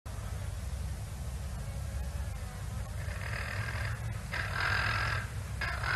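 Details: Swainson's spurfowl (Pternistis swainsonii) calling at Naledi Dam, South Africa, on 4 September 2021: harsh, grating, rasping calls in three bursts during the second half, over a constant deep rumble like wind or a running engine.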